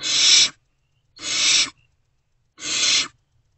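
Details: Unfed great horned owlets in a nest box around 5:30 am on 3 March 2024, reacting as an adult returns: three loud, airy, strongly hissed screeches, each about half a second, spaced about one and a half seconds apart.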